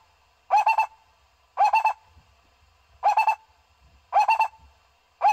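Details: A barbet gives bursts of three or four quick, hollow, mid-pitched notes about once a second against a quiet background; the recording is meant for luring barbets in.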